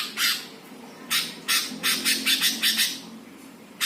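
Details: Greater green leafbird master song, played to provoke other birds: harsh, raspy notes in an irregular run, several quick strident bursts packed together, indoors-sounding with low background hum.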